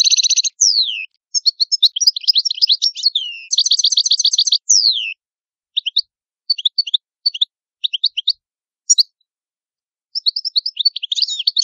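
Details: Italian goldfinch song: bright tinkling high twitters, a rapid buzzy rattle of repeated notes, short downslurred whistles, then scattered chirps and a renewed jumbled warble.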